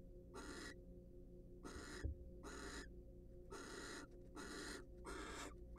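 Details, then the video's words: Wild barn owls in a research nest box during preening and courtship; six broad rasping hisses, the last ones coming closer together, one faint knock, steady electrical hum. "Barn Owls Share A Special Moment During Their Preening And Court Session."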